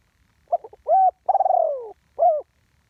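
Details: Spotted dove, live one-kuk decoy call. A single phrase: a few quick low notes, a sustained hoot, a drawn-out pulsing coo gliding downward, then one last shorter coo. Clean recording with no other sounds.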